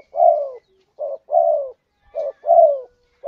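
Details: Lure call from a spotted dove, known as tekukur or derkuku, intended to attract birds. Three falling coos alternate with short rounded coos, each long note fading downward. A faint high tone lingers in the background.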